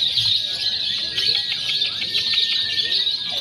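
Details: Lovebirds in a simulated free-action contest mixing konslet, fighter and paud singing styles, used to train birds before competition; dense, continuous high chattering trills with scattered sharp chirps and faint whistles underneath.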